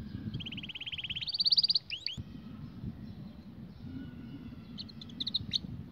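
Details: Canary singing a training song for young canaries: a rapid, even trill of repeated notes that rises and speeds up, then sharp upward-swept chirps and a few scattered high notes over a steady low hum.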